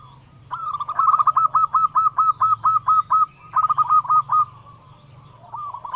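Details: Captive-dove lure of a local zebra dove singing: a long even series of crisp, hooked cooing notes, a short faster run after a pause, then silence and a new phrase starting at the end.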